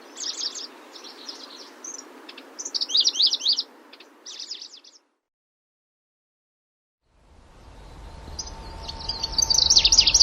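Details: Grasshopper warbler (genus Locustella) singing: bursts of high, fast, sweeping notes in phrases over about four seconds, then a silent gap, then more rapid high song returning over rising background noise and a steady low hum.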